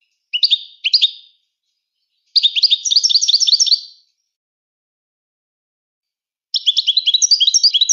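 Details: Moroccan goldfinch song in separate bursts: two short chirpy phrases, a fast trilled twitter of nearly two seconds, silence, then another quick rattling run of high tinkling notes.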